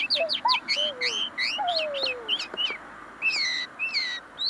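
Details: A tame common linnet sings right up close, its song not yet fully polished: a fast twittering run of short sweeping notes, with some lower slurred whistles woven in and small gaps between phrases.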